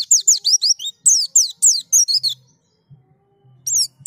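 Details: White-eye being prompted to sing: fast series of high, bright descending chirps in two bursts, a pause with a faint low hum, then a short final chirp group.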